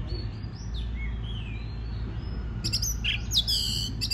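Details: Oriental magpie-robin singing to stimulate other birds: soft rising and falling whistles, then a burst of loud grating, buzzy notes near the end, with a low steady hum.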